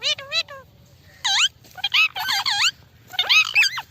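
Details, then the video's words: Indian ringneck parrot, a talking male kept as a pet, giving harsh squawking calls with loud sweeping rising-and-falling notes in short bursts, plus a quick series of descending chirps at the start and quiet gaps between bursts. "Indian parrot talking"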